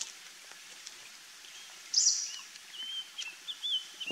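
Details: Palani laughingthrush (Palani Chilappan): a single harsh, loud note, then a string of thin whistled phrases wavering at even pitch, set against faint background hiss and scattered ticks.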